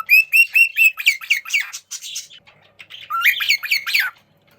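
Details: Young cockatiels chatter while playing, opening with a fast run of evenly spaced whistled notes, then tumbling harsh chirps and a rising series of squawky calls.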